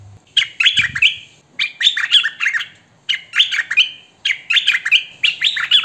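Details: Hwamei singing, recorded by phone or camcorder: rich warbled phrases of slurred whistles, rising and falling, delivered in bursts of about a second with short pauses between them.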